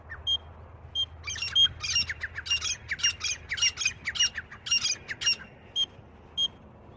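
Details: Francolin (titar) calling, with the call used for hunting. Harsh, squawky broadband notes come in quick uneven bursts, about a dozen over seven seconds, with thin ringing high tones. A steady low hiss runs underneath.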